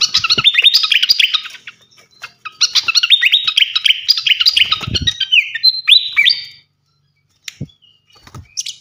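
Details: Flycatcher singing in a training recording for songbirds: dense bursts of quick twittering chirps, a pause, another busy twittering run, then clear whistled slurred notes, with a few thumps.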